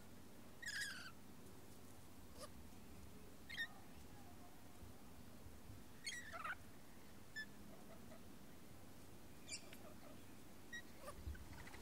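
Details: A lorikeet in a dominance display gives short, harsh, grating screeches, spaced a few seconds apart, over a steady low rumble of background noise.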